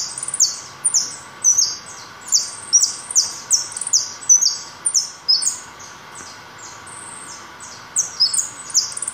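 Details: A white (pale) European goldfinch sings a fast, high, tinkling twitter of short metallic notes, several per second, with a brief pause near the end over a faint steady hum.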